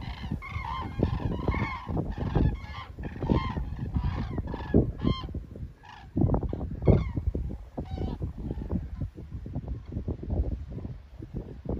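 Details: Flock of common cranes passing overhead at Hillensberg, giving a dense chorus of loud, resonant bugling calls that thin out midway and return, with steady wind noise throughout.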